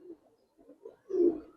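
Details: Budapest highflyer pigeon, silver variety, kept in a loft: a soft, low cooing murmur that swells into one fuller, throaty coo near the end, with faint quieter coos before it.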